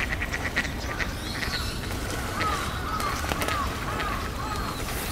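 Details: Male and female mallards give a run of short nasal quacks and gravelly notes, with a few thin whistled calls, over steady broadband background noise.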